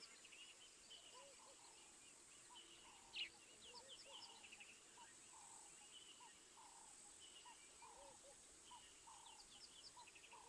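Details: Morning at Mabula, 7:20 AM SAST on 19 September 2023, with a crimson-breasted shrike giving a loose series of short, slightly sliding whistles over faint lower notes and a steady wash of distant high birdsong.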